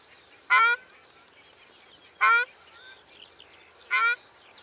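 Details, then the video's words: Ruddy shelduck giving three short, loud, nasal honks at steady intervals of about one and a half to two seconds, with quiet twittering of other birds behind. "Tarro canelo (Tadorna ferruginea) Canto"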